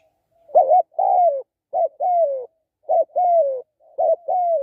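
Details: Spotted dove cooing in clean, paired phrases: a short wavering note, then a longer, smooth coo that falls at the end. Four pairs come with short gaps between them, and there are no other sounds.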